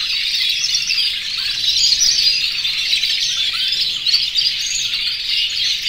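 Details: More than a hundred breeding-condition canaries, yellow, red and white, singing nonstop in an aviary to call the hens; dense sparkling twitter with occasional louder chirps rising above the mass.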